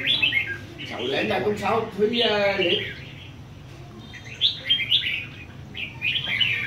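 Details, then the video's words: Red-whiskered bulbul from A Lưới performing on a competition stand: people talk loudly at first, then short, sweet, rising warbled phrases come in spaced bursts. "Chào mào A lưới chơi giàn quá đẹp"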